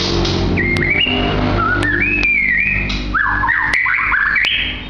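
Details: Caged white-rumped shama (Medan murai batu), about two years old, kept at a coffee shop in Sidoarjo, Indonesia, sings after its cover is opened in the morning: loud clear whistles sliding up and down, with sharp clicks and a steady low hum.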